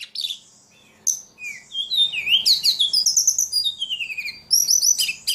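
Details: Ledekan singing vigorously: a varied run of high, sweet whistled phrases, with rapid trills, rising and falling slurs and bright chirps, broken by short pauses; quiet background.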